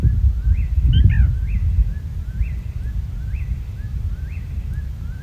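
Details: Black Rail, New Jersey's rarest breeding bird, calling at night in May at the same spot as last year, a steady series of sharp, high 'kee-kee-derr' notes, about one each second, over loud low rumbling noise.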